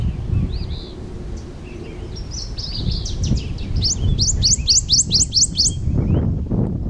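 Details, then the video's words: Prothonotary warbler singing in trees at a park: a few soft, thin notes, then a rapid run of about seven bright, ringing upslurred notes, all over a low rumbling background. "Prothonotary Warbler singing in a tree"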